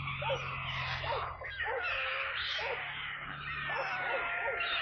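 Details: Stork chicks at a nest in Kaluga Region, Russia, on 28 July, calling while being brought water: dense overlapping wavering, mewing cries with a steady low hum underneath.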